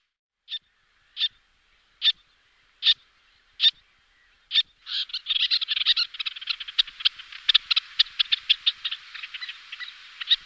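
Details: Little terns, two pairs calling and displaying in flight: six sharp, evenly spaced single notes roughly every 0.8 seconds, then a dense excited chatter of rapid overlapping harsh calls.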